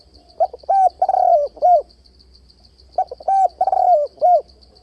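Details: Spotted dove call for exciting a decoy in fight-trapping: two matching phrases, each a short note, a long rolling coo and a clipped final note, every three seconds, with a steady high pulsing tone.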